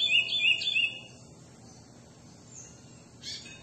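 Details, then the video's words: Chestnut-bellied seed finch (curió) in classic-style song: three rapid, clear, arching whistled notes within the first second, then a stretch of low background hiss and one brief higher burst near the end. "Curió canto clássico espetacular"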